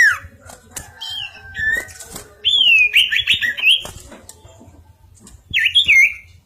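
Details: Bar-winged prinia singing continuously: a bright, rolling series of whistled and buzzy notes that swoop up and down. Scattered clicks and short chirps come between the phrases, and a final burst of twisting whistles ends the sequence.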